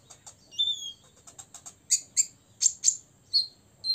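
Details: Olive-backed sunbird, a six-year-old caged bird singing to provoke rivals: a thin upslurred whistle, faint ticks, then a run of loud piercing high chips spaced about a quarter second apart and a few lower clipped notes.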